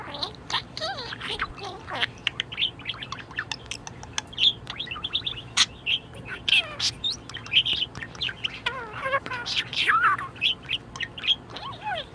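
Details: Very content pet budgerigar singing a long, busy warble of chirps, clicks and wavering squeaks, fast and irregular, with dense bursts of chatter throughout.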